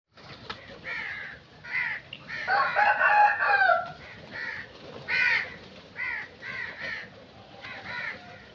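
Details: Crows calling in a loose series of harsh, nasal caws with a rougher, denser burst of overlapping calls in the middle, then spaced single caws again.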